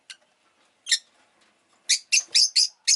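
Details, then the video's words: Rosy-faced lovebird kept as a pet, calling with a rapid run of shrill, scratchy chirps after two isolated notes, the later ones coming about every quarter second. "Lovebird Chirping Sounds"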